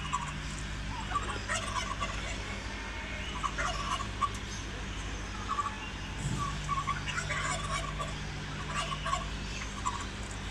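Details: Domestic turkeys at feeding time with their chicks, one bird gobbling while searching for the hen; scattered rattling bursts rise over a busy barnyard background with a steady low hum throughout.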